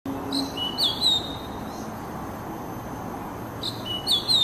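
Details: Oriental magpie-robin song, played as therapy to encourage stressed kacer birds to sing: two short bursts of clear, bright whistled notes with a long quiet, hissy gap between them.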